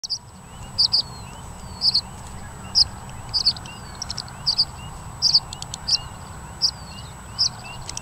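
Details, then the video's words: Tree swallow giving its loud raucous shriek or alarm call, used in territorial conflicts and when predators or dangers are perceived: sharp, high, clipped notes, often doubled, repeated roughly once a second; faint background hiss. "Tree Swallow Shriek or Alarm Call"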